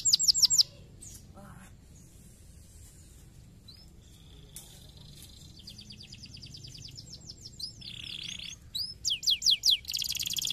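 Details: Canary song meant to prompt other canaries to sing: after a quiet stretch with scattered faint notes, fast rolling trills and a buzzy tour build up, ending in loud repeated sweeping notes.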